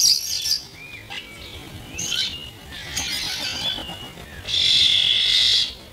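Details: Half-speed recording of young starlings, mainly this year's first brood, squabbling over food: short scratchy calls and thin whistles, then one long, loud, harsh screech lasting over a second.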